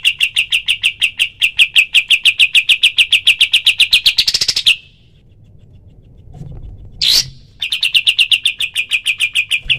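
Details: Cream-vented bulbul in 'tembakan' rapid-fire style for bird training: fast, even series of sharp chirps, a short pause with faint background, one bright note, then the quick chirping resumes.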